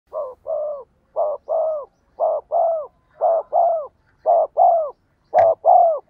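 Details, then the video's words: Spotted dove with a 'giọng đồng' voice, cooing vigorously as a decoy to make wild doves coo back: low hollow coos in paired phrases, a short note then a longer falling one, repeated about once a second, with one sharp click. "cu gáy giọng đồng gù sung// tiếng cu gáy mồi chuẩn dùng kích bổi gù theo hiệu quả"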